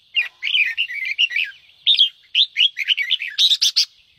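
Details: A red-whiskered bulbul in fired-up song pours out quick, bubbly warbled phrases in a mid-high pitch, ending in a burst of harsher, rapid chattering notes; used to stimulate other bulbuls to sing.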